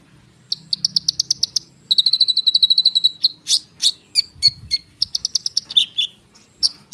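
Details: Konin bird in rolling song, used to draw a response from sunbirds: a fast run of clicking chirps, then a rapid level trill of high notes, followed by varied sharp whistles and buzzy phrases.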